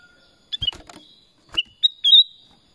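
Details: Brief whistled bulbul phrase, two or three sliding notes ending in a longer clear whistle, after some rattling knocks; Black-crested bulbul.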